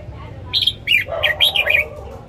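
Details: Caged red-whiskered bulbul, morning song: a short run of loud, bright, chattering notes, partly overlapped by a lower, rougher sound.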